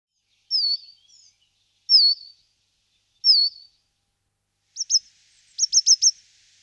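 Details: Coal tit singing: three short, high, down-slurred whistled notes about a second apart, followed by a few sharp high chips and a quick burst of four clipped notes.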